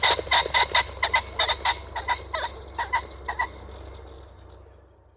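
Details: A Common Pheasant gives a loud run of harsh, ringing notes, about four a second for three seconds, then falls quiet over a low steady hum.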